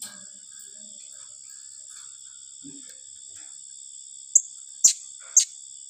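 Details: Blue-crowned hanging parrot giving a rapid-fire 'tembakan rapat' style call: three sharp, very high, short notes about half a second apart near the end, over a steady high insect drone with faint low sounds.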